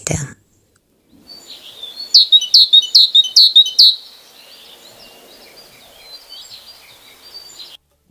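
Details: A Great Tit sings in winter: six bright, thin, ringing notes repeated about three times a second, then a softer high twittering that trails off.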